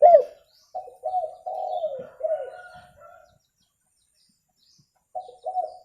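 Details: Spotted dove, in a recording used to lure birds. It gives a run of soft, rounded coos, each note swelling then dropping. The notes are grouped, with a silent pause before two more coos at the end.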